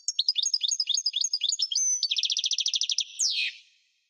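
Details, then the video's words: Continuous, lively European goldfinch song: a run of rapid, bouncing high notes, then a faster even trill of about a dozen notes per second. It ends in a sweeping, downward, buzzy slur. A brief pure whistle is heard midway. "اجسن تغريد الحسون"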